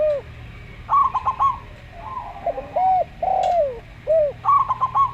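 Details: Local zebra dove singing in a slow style with a Javan derkuku. Short staccato trills alternate with rounded, arching and falling coos roughly every second, over a low background hum.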